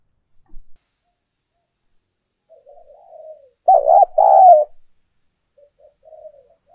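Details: Decoy spotted dove cooing, used to stimulate other doves to coo: soft low murmurs, then two loud, mellow, throaty coos close together, followed by quieter murmuring notes.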